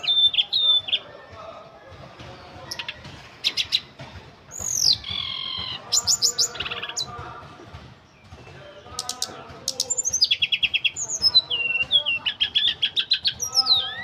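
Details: Ashy tailorbird singing a long, busy sequence of high whistled notes, buzzy chips and fast repeated trills, with brief pauses between phrases and a faint low hum behind.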